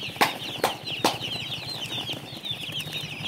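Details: Farm chicks cheeping in a busy chorus of thin, high, quick notes, broken near the start by three sharp knocks or flapping thuds about half a second apart.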